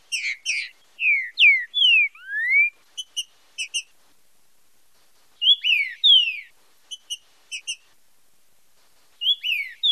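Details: Green-winged saltator, 'fibra com marcheado' style song for song training and stimulation. Rich whistles slide down, and one rises at the end, mixed with bursts of short clicking ticks. A second phrase of falling whistles follows after a pause.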